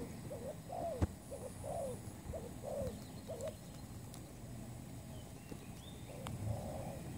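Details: Trapping-lure spotted dove uttering a string of low, rounded coos in quick rhythm, then pausing before a longer drawn note, with a knock near the start and faint high bird whistles.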